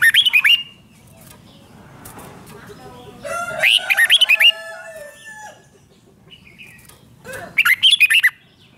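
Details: Caged-bird song of a red-whiskered bulbul, 'rik' style, played to rouse other birds: three bright phrases of five or six clipped whistled notes, spaced about three to four seconds apart, over soft chirping from other birds.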